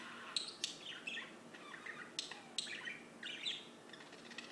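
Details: Singing birds trade sharp high chips and quick warbled phrases. The notes are scattered irregularly through the recording, some piercing and some softer, over a low background hiss.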